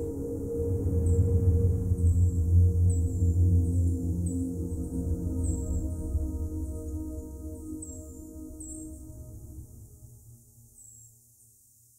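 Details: Low, sustained ambient music with droning tones fading out toward the end; no animal voices are heard.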